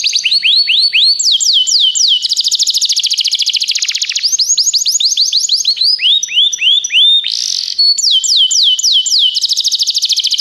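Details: Long canary song for training young canaries: alternating series of slurred whistles and quick trills, with steady tones in between and a brief harsh burst midway, continuous and loud throughout.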